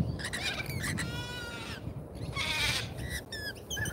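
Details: Lorikeets at a feeder in Australia, filmed by a live feeder camera: a run of shrill, rising, harmonic-rich squeals and screeches, several overlapping, with a steady low rumble of background noise.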